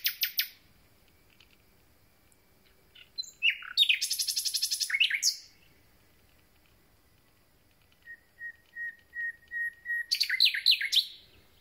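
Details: Just-arrived common nightingale beginning its concert: a fast, dense trill of repeated notes, a pause, then a slow crescendo of pure piping whistles on one pitch before varied chattering notes.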